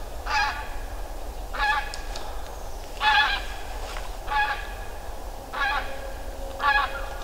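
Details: Geese flying overhead at the Ptasi Raj reserve in late autumn give loud, nasal, slightly rasping honks, six in all, roughly one every second and a quarter, over a steady low rumble.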